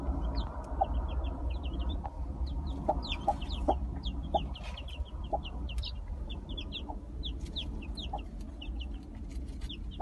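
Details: Gold Brahma chicks just hatched under a broody hen keep up a continuous chorus of high, sharp, descending cheeps, punctuated by soft lower clucks every second or so, over a persistent deep background rumble.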